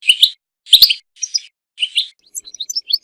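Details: European goldfinch song, used for mating and for teaching goldfinches to sing: four short, buzzy, twittering bursts about half a second apart, then a quick run of thin, high chirps.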